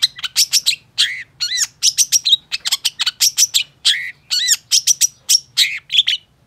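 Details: Long-tailed shrike singing as a tutoring lure for shrikes that have stopped singing: a dense, rapid stream of sharp chips and shrill notes, some with rising and falling curved whistles, nearly continuous for six seconds.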